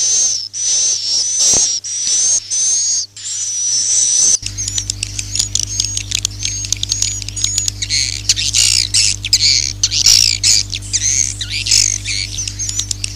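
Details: Lure call for drawing swiftlets: regular buzzy high trills in bursts about half a second long, then thick twittering and clicking chatter over a constant low hum.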